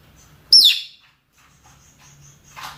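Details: One piercing downslurred screech from a rosy-faced or Fischer's lovebird giving a mating call, followed by quiet and a short softer chirp at the end.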